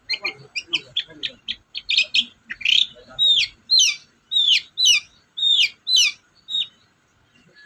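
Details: Long-tailed shrike singing as a lure to get silent shrikes to answer: rapid clipped chirps speed up, then give way to loud, harsh downslurred notes repeated about every half second, clear and dominant with little background.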